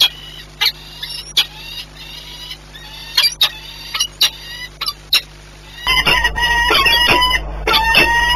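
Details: Peregrine falcon at a nest site on the Orlen plant in Płock, Poland, 18 March 2021, during egg-laying and frightened by noise: harsh sharp repeated calls with strong overtones, irregular at first, then a dense loud burst, over electrical hum.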